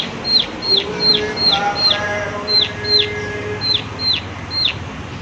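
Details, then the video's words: High, downward-flicking 'klik klik' notes from a prinia, spaced unevenly with short gaps, over a fairly busy background of low hum and faint other tones. "Prenjak Klik Klik Gacor"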